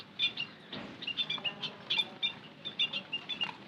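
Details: Emprit kaji lure calls: quick thin peeps in uneven clusters, one brief rustle early, then evenly paced high chirping.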